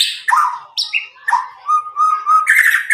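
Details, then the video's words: Caged Medan white-rumped shama, nine months old, song used to encourage juvenile shamas to sing; scratchy downslurred notes lead into a sustained whistled trill, ending in a buzzy high burst. "murai batu Medan gacor walau lepas trotol cocok untuk pancingan murai batu macet"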